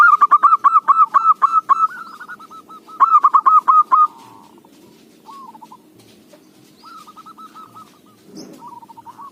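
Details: Local zebra dove whose song is considered good lure material: loud, rapid staccato cooing notes for about four seconds, then softer rolling phrases separated by gaps, with a brief rustle near the end.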